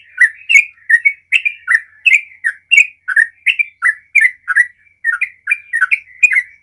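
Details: Sooty-headed bulbul pouring out continuous 'gacor ropel' song to prompt other bulbuls to join in; a long stream of lively, slurred whistled notes, roughly two to three a second, unbroken throughout.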